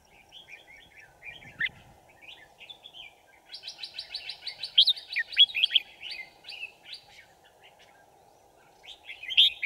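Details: Decoy red-whiskered bulbul singing at a trap set for wild birds on 5 January 2018: scattered soft phrases, then a dense burst of buzzy chatter and loud looping whistles, and a final sharp phrase over a constant low hum.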